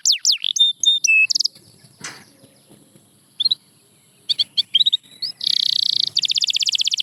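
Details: Canary giving scattered short whistles and chips with quiet gaps, closing in a fast buzzy pulsed trill; faint low background noise.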